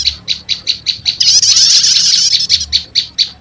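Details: Prenjak lumut prinia lure mixed with prenjak setater to call wild birds: steady repeated high chips roughly every quarter second framing a short dense chattering burst in the middle.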